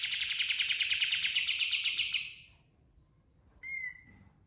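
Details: Pied triller, known locally as kapas tembak, delivering a dense pulsed trill for just over two seconds. After a short silence comes a single clear, slightly falling whistle.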